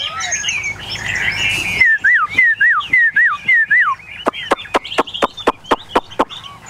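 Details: Chinese hwamei, a caged tame bird from a group of eight, giving jumbled warbling, then five loud clear whistled notes that rise and fall, each about half a second apart, followed by a quick run of sharp ticks.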